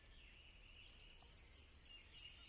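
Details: Black-and-white Warbler singing while flying from perch to perch, filmed with a Canon 7D: a very high, squeaky wee-see phrase repeated rapidly, about a dozen thin notes in quick rhythm, faint lower buzz beneath, otherwise quiet.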